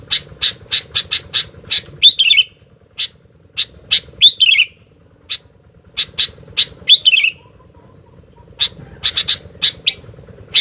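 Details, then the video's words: Sooty-headed bulbul singing energetically: runs of short sharp chip notes repeated rapidly, broken by brief whistled phrases that slide downward, with a steady low electrical hum in the background. "Burung Gentilang Gacor"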